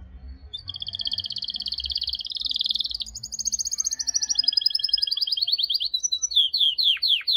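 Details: Canary song of long rapid trills, the pitch stepping up after three seconds, ending in quick sweeping notes, with a low background hum.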